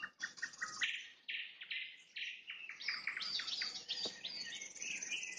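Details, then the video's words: Sunset song of a nightingale, opening with a few clipped notes, then long buzzy tones and fast repeated downslurred whistles building into dense high trilling. "Пение соловья на закате, соловьиные трели"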